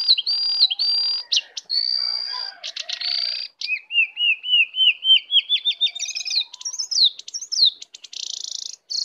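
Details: Wild lesser shortwing coming in to attack. Its high sustained whistles are followed by a quick run of rising notes repeated about five times per second. The song ends in sharp slurred whistles and a thin buzzy note.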